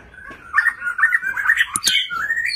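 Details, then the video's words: White-rumped shama during display giving a rapid warbling run of mid-pitched whistled notes, interrupted by a sharp click, then a rising whistle. "MURAI BATU GACOR White-rumped shama Display kích chòe lửa hót nhiều giọng"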